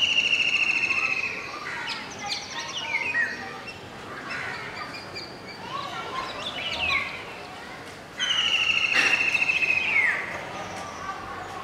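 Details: Indian golden oriole, adult male singing, with juvenile and two females, at Masab Tank, Hyderabad: two long, clear downward-sliding whistles separated by softer chattering and twittering from other birds.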